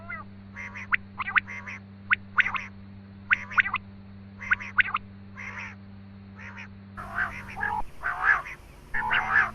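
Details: Quail calls played to lure quail for hunting. Sharp, clicky notes come in quick pairs and triplets, then give way to rougher, buzzier bursts, over a steady low electrical hum.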